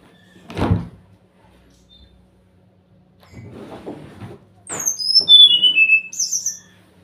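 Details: Brown-chested jungle flycatcher lure song to prompt silent birds to respond: after a few knocks and handling noises, a fast series of high whistles falls in steps, followed by a brief higher burst.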